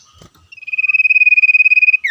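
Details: Common iora, a male bird in the wild, calling back and forth with other wild birds: a fast, even rattling trill held for about one and a half seconds, ending in a brief sharp note.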